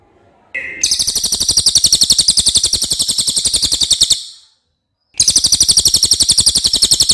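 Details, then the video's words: Common iora with a clear song kept as a tutor recording for training oriental magpie-robins: a long, dry, rapid trill of sharp repeated notes, roughly ten per second, lasting over three seconds, a one-second pause, then the trill resumes. "suara cililin jernih"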